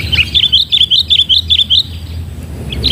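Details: Sooty-headed bulbul during a trapping session with a decoy: a crisp series of about ten rapid, chirping, slightly warbled notes over roughly two seconds, then a short pause and one more chirp.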